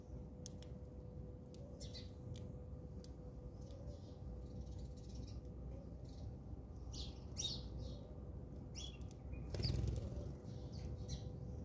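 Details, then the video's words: House sparrows fighting in South Africa: scattered sharp, buzzy chirps in quick irregular bursts, with wing flutters and a faint steady hum underneath. "Watch Entertaining Battle between Sparrows"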